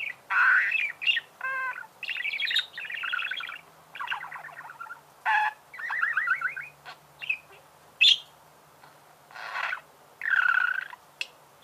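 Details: Lively budgerigar chirping: varied scratchy warbles, harsh squawks, quick trills and high squeaks delivered in bursts with short pauses, faint hum underneath.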